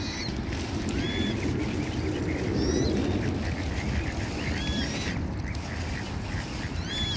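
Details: Ducks in a pond, protecting their young, give harsh nasal quacks, repeated in loose clusters about four per second, over a steady low rumble of water and background noise.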